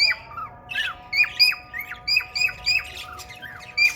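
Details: Male cockatiel wooing a female budgie that has red eyes, giving a stream of short piercing whistles that drop abruptly, with a couple of buzzier, lower notes early on.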